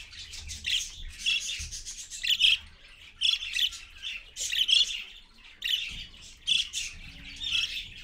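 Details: Rose-ringed parakeets, an adult with her babies, recorded at 6:20 AM on 4.1.15, give harsh, rasping screeches in short bursts, roughly one every second, with several birds overlapping at times.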